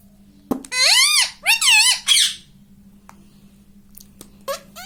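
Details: Pet rose-ringed parakeet talking indoors, repeating "mummy": a click, then three rapid shrill warbling squeaks with arching pitch, followed by quiet hum and a faint final chirp.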